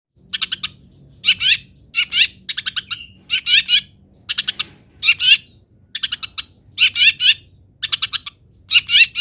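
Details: Long-tailed shrike song used to train other birds to sing: bursts of harsh, chattering notes in short clusters, repeated roughly every half second to second, with brief pauses between phrases.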